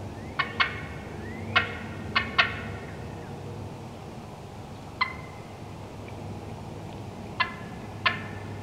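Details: Wild turkey hens cutting in woodland: crisp clucks in pairs and quick triplets, separated by pauses of a few seconds, with a soft low hum throughout.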